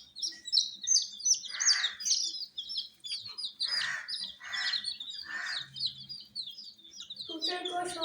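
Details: Many baby chicken chicks kept under heat, cheeping in a dense chorus of high, short, downward-slurred peeps, overlapping rapidly, with several broader rasping bursts and a lower harsh sound near the end.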